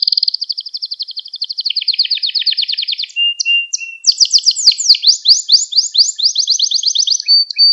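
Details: Gloster canary song meant to stimulate other canaries and train young ones: a long fast trill stepping down in pitch, a low steady whistle, then loud rolling descending sweeps repeated rapidly.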